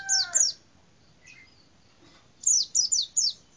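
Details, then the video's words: White-eye, known locally as pleci, in a cassava tree giving short high chirps: two quick descending notes, a pause with faint twitters, then a run of four sharp falling chirps. "BURUNG PLECI DI POHON UBI"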